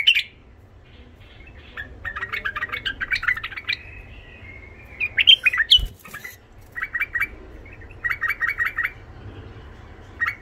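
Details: Rough-voiced tame Iraqi white-eared bulbul singing to stimulate wild bulbuls and teach young ones: scratchy chattering phrases, one loud burst with a thump, then evenly pulsed rapid note series, in quiet surroundings.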